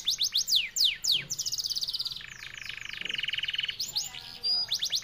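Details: F1YS canary song, delivered long and fast: quick falling whistled sweeps open into a sustained, rapidly pulsing rattle-like trill lasting about two seconds, then more high descending sweeps and a short flat whistle.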